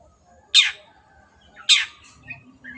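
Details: Two harsh, rasping downward shrieks a little over a second apart from a long-tailed shrike in active 'gacor' voice, with faint chirps after them.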